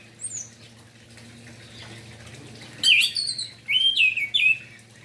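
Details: Orange-headed thrush morning song used to stir other thrushes: a faint high note at the start, a quiet stretch, then loud sliding whistles in several quick bursts near the end.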